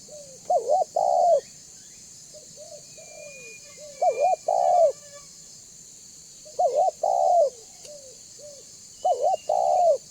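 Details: Tekukur, the spotted dove, banggo type, played to lure other doves into calling and approaching; loud stuttered coo phrases ending in a long coo, repeated every two to three seconds, with soft extra coos and faint high chirps.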